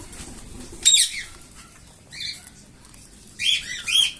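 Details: Young cockatiels being hand-fed give harsh, wheezy begging calls in short bursts, each falling in pitch.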